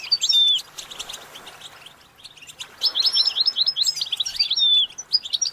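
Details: Goldfinch song heard as quick high twittering and a falling whistle, a nearly quiet stretch of about two seconds, then a renewed run of chirps and slurred whistles.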